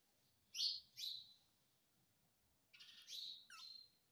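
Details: Indian ringneck parakeet, a talking parrot said to be mimicking "mummy papa": two short harsh, buzzy bursts near the start, then after a pause a longer raspy phrase of three linked notes, over a quiet background.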